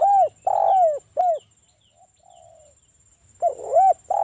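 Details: Spotted dove, a local bird, singing the wild-style lure song to draw replies from rival doves: repeated soft, low coos, each arching and falling, with a faint high twittering bird in the background.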